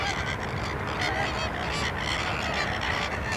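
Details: Flock of flamingos calling at Larnaca salt lake, Cyprus; constant overlapping honks, nasal and goose-like, forming a busy chorus over low background rumble.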